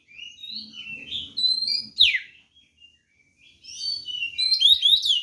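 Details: White-rumped shama in provoking fighting song, a rising sequence of whistled notes ending in a sharp downslur, a pause, then excited rapid chattering; a low rumbling sound underneath at first.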